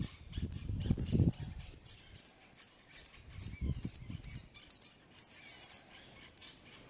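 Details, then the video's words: Repique-style song of a European goldfinch: a steady run of piercing, downward-slurred high notes, roughly two to three each second, with muffled low thumps in the background. "jilguero de repique"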